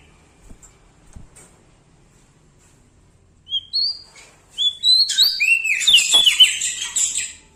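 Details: {'caption': 'Bar-winged prinia from Lombok in loud, vigorous song. A few soft taps, then two short rising whistles, then a dense rush of high twittering with swooping, buzzy down-slurs lasting nearly three seconds.'}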